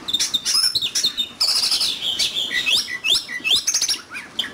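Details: In a singing duel, an oriental magpie-robin delivers rapid varied phrases: high thin notes, chattering bursts and short descending slurs tumbling one after another.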